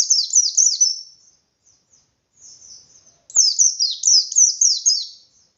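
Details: White-eye singing in the forest-like ngalas style, beak wide open, used to provoke other white-eyes into answering: two bursts of high, thin, rapidly descending slurred notes, each burst about a second, separated by a pause.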